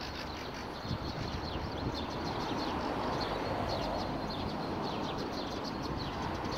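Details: Sparrows in street bushes by a bench on Akademika Zelinskogo street near Vavilova street, 12 April 2019, giving faint short high chirps in a loose repeated series over steady low traffic rumble.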